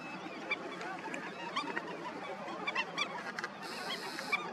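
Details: Several Indian skimmers calling at their breeding colony: short nasal yelps scattered throughout, growing busier midway, with a brief hissing noise near the end.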